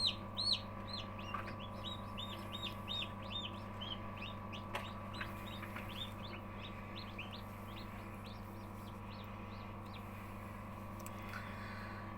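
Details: Newly hatched chicks, three emerged on day 20 in a homemade incubator, give rapid, high, thin peeps, many per second at first then steadier, over a constant low machine hum.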